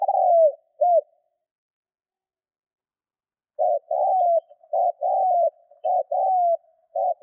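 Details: Spotted dove serving as a 'thúc' decoy, cooing to provoke wild doves: the end of one phrase, a pause of nearly three seconds, then a rapid run of soft, mellow coos with arched and falling notes repeated several times.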